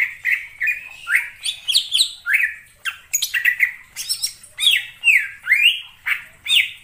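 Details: Greater green leafbird calling in the wild forest: a varied chatter of sliding whistles and harsh squawky notes, some rising, some falling, delivered in a continuous, lively stream.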